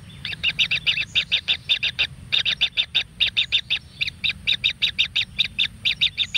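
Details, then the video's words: Kingfisher chick begging in a natural nest while fed a frog: fast series of short, harsh chattering notes, about four per second, evenly repeated throughout. "Anak Burung Tengkek Tunggal Diberi Makan Full Katak Babon - Kingfisher Natural Bird Nest"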